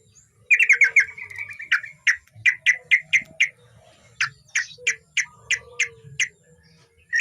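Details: Male yellow-vented bulbul singing actively, kept as a tutor bird: a run of sharp, bright chattering notes, then evenly spaced loud single chips about three per second, with a short pause mid-way and low background rumble.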